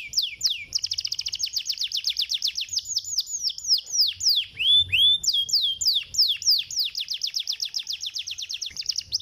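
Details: Canary song played to stimulate other canaries to sing: long rapid trills of sharp downward-sweeping notes, changing speed, with a few slower drawn-out slurred notes midway.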